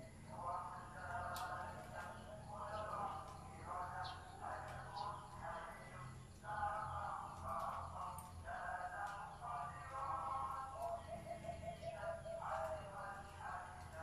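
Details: Deep-voiced zebra dove repeating throaty, rolling coo phrases about every one and a half seconds over fourteen seconds. Sharp chirps of other birds come and go, and a steady low hum runs underneath.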